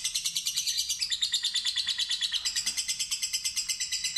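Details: Lovebird, a fighter-type bird kept as a pet, giving a long ngekek ngetik trill: rapid harsh chattering notes repeated about three times a second, steady and unbroken, with a slight shift in tone midway.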